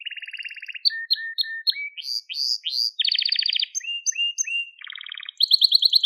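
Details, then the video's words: Crested Gloster canary singing, a recording meant for training young canaries: a low rattling trill, slurred whistled notes, rising buzzy phrases, then a fast bright high trill to close. "Muhteşem Tepeli Gloster Kanarya Ötüşü | Gloster Kanarya Sesi"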